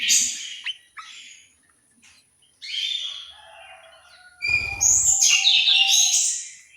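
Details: Orange-headed thrush kept in a Malang, East Java aviary, giving scattered short notes and quiet gaps, then a loud, rich burst of high, varied warbling; a steady faint whistle-like tone runs beneath.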